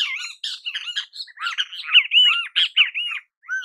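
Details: Great kiskadee in natural habitat giving an excited run of harsh, scratchy notes mixed with arched, slurred whistles, delivered almost continuously with only brief gaps.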